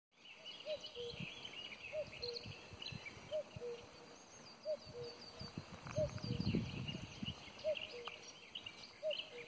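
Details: Common cuckoo heard but unseen beside a dam along the Inn floodplains near Aigen; low two-note cu-koo, falling in pitch, repeated about once a second over many high twittering and singing birds, with some low rumbling.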